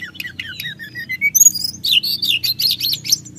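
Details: Sunda whistling thrush singing to provoke rival birds: a falling series of thin whistles, then a dense run of harsh, squeaky, high notes repeated rapidly over a low hum.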